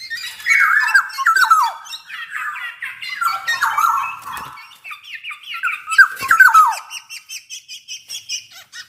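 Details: Black-naped oriole singing energetically, a run of descending fluty whistles blended with squeaky, grating notes, ending in a series of quick evenly spaced clicks.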